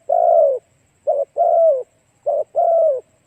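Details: Spotted dove calling as a lure for other doves: a long hoarse falling coo, then two pairs of a short clipped note and a drawn-out downward coo.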